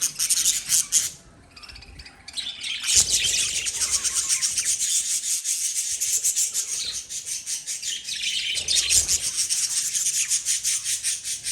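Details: Continuous shrill chattering from lovebirds: rapid, scratchy high chirps in pulsing bursts, with a short quieter gap early on and steady busy calling for the rest.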